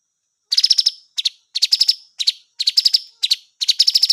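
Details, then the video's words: Blue magpie singing and calling: bursts of harsh, rapid chattering notes, each burst a quick run of four to six raspy pulses, repeated about once a second with short gaps; no other sounds. "Thanh tước hót gọi"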